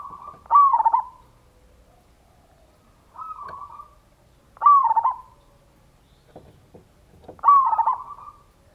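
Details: Local perkutut or zebra dove singing loud ngayer kerot nutut lure song to excite other doves into singing: four purring, trilled cooing phrases at a steady mid pitch, about every one and a half to two seconds, with quiet gaps.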